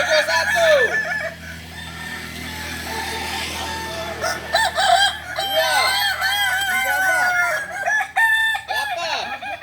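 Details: Several Kokok Balenggek roosters crow almost without pause at a group practice session in Ampang Kualo, Kota Solok. Their bent, repeated syllables overlap against a steady low hum and people talking.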